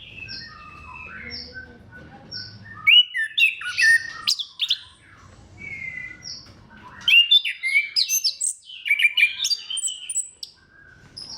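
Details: Orange-headed thrush (anis kembang) lure song for stimulating other thrushes: soft repeated short whistles at first, then loud bursts of varied chirps and rapid mimicked phrases with quiet gaps between.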